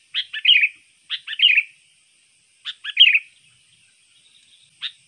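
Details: Sooty-headed bulbul, a trained bird whose song is used to lure other birds: bright, bubbly phrases of three or four quick notes dipping and rising, repeated about every one to two seconds, on a quiet background.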